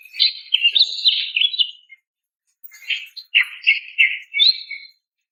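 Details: Female greater green leafbird calling a male, giving two bursts of rapid, scratchy chattering notes, high and warbling, separated by a pause of under a second.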